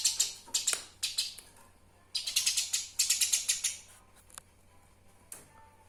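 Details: A Eurasian tree sparrow, recorded for songbird mastering, chatters in uneven clusters of sharp, rapid chirps that fade into sparse single notes toward the end.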